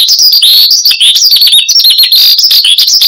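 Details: Horsfield's bush lark (branjangan), a cage bird singing persistently, used as a lure and master-tutor song: dense, unbroken stream of high chirps, trills and short whistles, varied and rapid.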